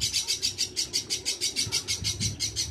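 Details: Young Javan myna, hand-reared and being trained to talk, giving a rapid series of harsh, high buzzy notes repeated about five times a second in a steady pulsing rhythm.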